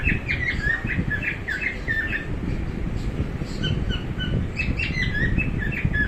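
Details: Pet cockatiel making interesting sounds: a quick run of short, bright chirps and squawks, some rising and some falling, bunched in the first two seconds and then scattered, over steady low rumbling background noise.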